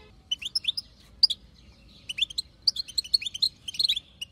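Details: Female European goldfinch of wild type giving batbata chatter to make a male sing: scattered tinkling chirps at first, building into faster runs of bright twittering notes.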